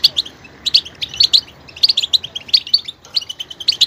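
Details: Goldfinch giving quick bright chirping notes in little clusters, a bubbly high twitter with short pauses between groups.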